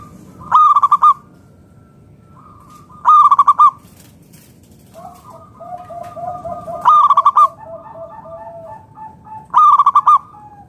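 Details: Local wild-stock zebra dove, a frequent singer, used to draw other doves into song: four loud rapid stuttering coo phrases about every three seconds, each a quick pulsed burst, with softer cooing from other doves between.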